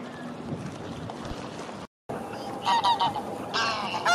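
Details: Greylag geese coming ashore from the Serpentine to join a grazing flock on the bank give loud, nasal honks in short, overlapping bursts after a stretch of low background rumble.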